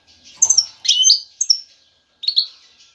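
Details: Male European goldfinch courting a female with strong song: a few loud, buzzy, high twittered notes in two short bursts.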